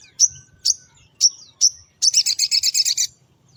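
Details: Sogon pastol singing in the morning, used as a lure for small birds: four sharp high whistled notes spaced about half a second apart, then a fast rattling trill of repeated chirps lasting about one second.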